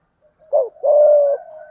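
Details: Spotted dove of the thổ voice type cooing to stir up a rival male: a brief hooked note, then a long, even, mellow coo, with a faint trailing hum afterward.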